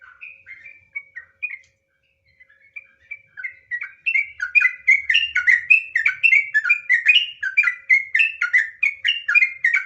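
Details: Trucukan (sooty-headed bulbul) starts with soft, spaced whistled notes, then after four seconds bursts into loud, rapid ropel-style chattering whistles, densely packed and steady to the end.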